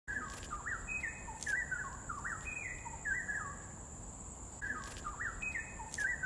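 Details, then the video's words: Bulbul in Dairy Farm Nature Park, Singapore, giving short bubbly whistled phrases that jump and slide between mid pitches, repeated in bursts over several seconds, with a steady high insect drone throughout. "Sound of Bulbul"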